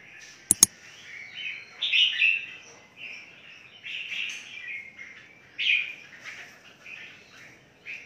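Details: Captive red-whiskered bulbuls in a big breeding aviary give scattered warbling chirps in several bursts, with two sharp clicks early on and a faint background hiss.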